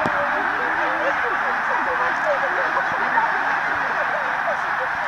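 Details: Huge migrating flock of Snow and Canada Geese, with Tundra Swans, flying over Middle Creek, Pennsylvania, on 16 March 2015: hundreds of overlapping nasal honks and yelps merge into a constant roaring din.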